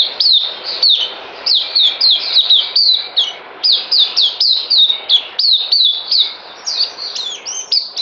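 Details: White-eye kept in captivity, recorded 9 December 2018 before deworming, pours out a long, fast high-pitched warble of sharp descending whistles in tight clusters, with brief breaks between bursts.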